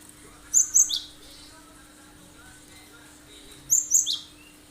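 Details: Cinereous tit delivering sharp, high 'tembakan' shots meant to lure other birds into singing: two bursts of three rapid piercing, slurred whistles, about three seconds apart, with a quiet background and a low steady hum.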